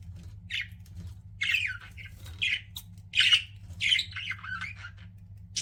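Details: Chattering pet budgerigars kept indoors: harsh squawks mixed with warbling, slurred chirps in irregular bursts, a louder grating call near the middle, low background hum throughout.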